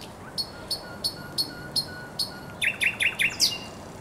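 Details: Spring song of a thrush nightingale by the Żerań Canal, 24 April 2022: six sharp high notes evenly spaced about a third of a second apart, then a quicker burst of five chopped, falling phrases ending in a high flourish.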